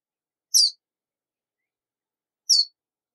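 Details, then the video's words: Verdin calling: two single sharp, high, buzzy chip notes about two seconds apart, separated by silence. "Verdin Song! Verdin Call! Verdin Singing! Voice! - Baloncito Verdín Canto - Auriparus Flaviceps"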